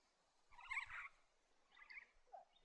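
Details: Superb parrot, a bird of woodland and farmland in central New South Wales, gives a harsh, raspy screech of about half a second, followed by a shorter grating call and a brief lower note, over faint steady hiss.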